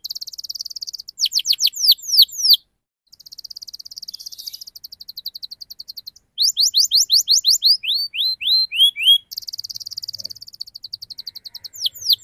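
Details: Canary with tight, rapid rolling song meant to coax juvenile canaries into singing: alternating buzzy high trills and runs of sharp downslurred whistles, with a short pause and some rising swoops near the end.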